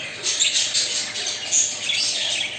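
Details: Indoors, in a room at about 25°C, a flock of pet budgerigars preparing to nest keeps up a dense, continuous high chatter of chirps, squeaks and warbles, with brief louder bursts and no other clear sounds.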